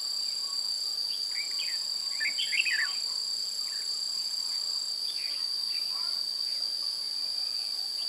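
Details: Decoy-bird trapping of red-whiskered bulbuls, 16 June 2017: bursts of quick chattering, warbled notes, then scattered whistles, all under a loud continuous insect buzz.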